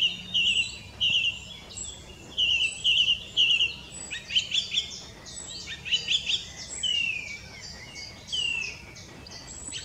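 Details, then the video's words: Song thrush singing loud, clear whistled phrases, each repeated twice before switching to a new one, with brief pauses between and faint background noise. "Song thrush"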